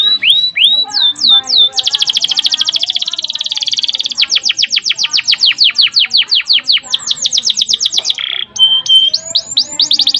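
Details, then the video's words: Canary singing vigorously, recorded as a master song for training other canaries, with long, tightly packed rolls. Clear whistled sweeps open into long, fast, evenly spaced trills and rapid descending note series, ending in a short buzzy note and renewed sweeps. "suara burung kenari GACOR ngerol PANJANG seept rapat || kenari lain ikut EMOSI"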